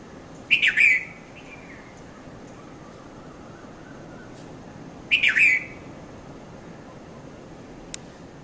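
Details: Morning calls of a red-vented bulbul at Mount Lavinia, Sri Lanka, recorded 5:30 to 5:40 a.m. on a Nikon Coolpix camera: two brief chattering three-note phrases about four and a half seconds apart, with a faint click near the end.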